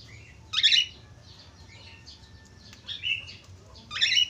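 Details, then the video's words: Budgerigar sounds played to stimulate other budgerigars into singing: three harsh, bright chirps spaced through the clip, linked by soft chattering warble. "Suara pancingan falk /parkit australia cepat gacor"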